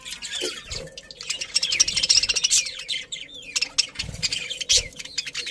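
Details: Happy budgies in a colony chattering: a continuous stream of high, fast, scratchy chirps and squeaks from many birds, with occasional lower knocks beneath.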